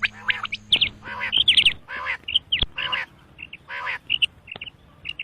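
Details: Common quail giving dense bursts of high, clipped chirps in rapid triplets, mixed with rasping, nasal, buzzy notes. The calls crowd close together.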